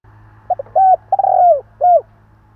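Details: Spotted dove giving a luring call: a brief note, a level coo, a long rolling coo that drops in pitch, and a closing down-curved coo, over a steady low electrical hum.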